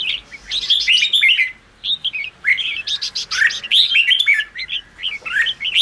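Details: Red-whiskered bulbul singing to rouse wild-caught caged birds: dense bursts of bright warbled and whistled notes, a short pause, then further lively rising and falling phrases without a break.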